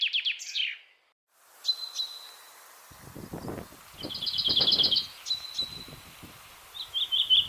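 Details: Common chaffinch in Europe, a brief song fragment and trilled burst among thin whistled notes, with rustling and low background noise between phrases and other bird notes.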